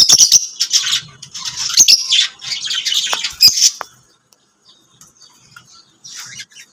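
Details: Lovebirds chirping: dense, harsh high-pitched chatter and squeaky notes for about four seconds, then faint scattered chirps as the calling trails off.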